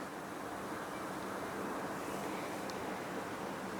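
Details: Steady broadband rushing of wind or distant traffic fills the whole stretch, with no animal voice standing out.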